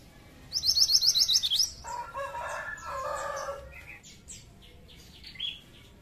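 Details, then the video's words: Pied triller lure song: a fast trill of about eight high, piercing notes, then a lower, harsh, rooster-like sound and a few soft chirps. "Burung Mantenan Gacor Ampuh pancing mantenan ombyokan"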